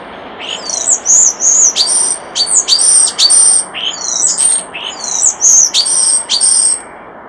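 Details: Common starling song by a nest box: rapid repeated high rattles, clicks and squeaky whistles in a continuous rhythmic chatter lasting about seven seconds.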